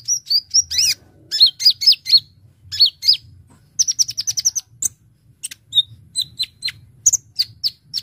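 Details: Brown-throated sunbird, a lively chattering 'gacor ngobra full isian' song used to lure birds: sharp high whistled notes and rapid trills, some falling in pitch, with fast bursts of crisp ticks in dense runs.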